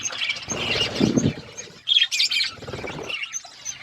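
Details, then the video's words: Feeding budgerigars chirp in bursts of shrill twitter, with loud wing flapping and rustling early on, then sharper tweets and softer chatter. "Budgies chirping sounds and eating food"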